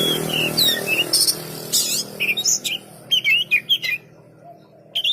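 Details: Oriental magpie-robin (kacer) song: varied whistled notes and slurred chirps at mid-high pitch, some sharp broadband clicks, delivered in quick bursts with short pauses, ending in a rapid series of rising whistles.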